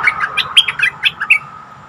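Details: Bulbul calling, from a recording used to lure wild birds: a steady string of bright, slurred chirping notes, about four per second, over a faint background hum.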